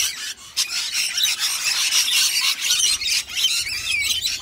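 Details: A pair of rainbow lorikeets driving cockatoos away from their food bowls; loud grating squeals and harsh screeches pour out after a short pause, with a thin rising whistle near the end.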